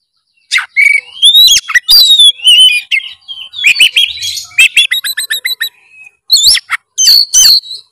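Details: Kacer, the oriental magpie-robin, singing at full volume to stir a silent bird into song: rich whistled phrases, buzzy slurs and a rapid series of clipped repeated notes, with short pauses between bursts.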